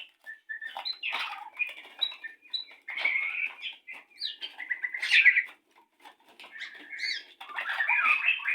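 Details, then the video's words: White-rumped shama courting before mating at a breeding setup: busy, dense jumble of chirps, whistles and rough notes, with some clicking or fluttering sounds mixed in, loudest near the middle. "rayuan saat murai batu ingin kawin"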